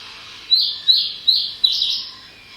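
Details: A common reed bunting's summer song, delivered for hours from a perch on farmland: four quick, slightly buzzy notes, each opening with a sharp tick, spaced under half a second apart; the last is longer.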